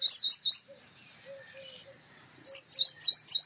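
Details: Male purple sunbird uttering groups of three or four loud, high, upslurred metallic notes, with soft low whistled notes between the groups.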